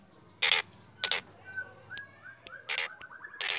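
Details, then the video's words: Black drongo in morning song, giving repeated loud harsh grating bursts alternating with soft short whistled notes that step up and down. "Srigunting hitam gacor"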